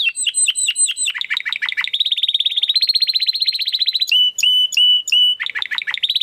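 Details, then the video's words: Domestic canary (Serinus canaria) singing loudly for training competition birds: repeated downslurred whistled notes, then a rapid buzzy trill, steady held tones and more falling notes. "Kenari Gacor Suara Kristal Buat Masteran Burung Gantangan"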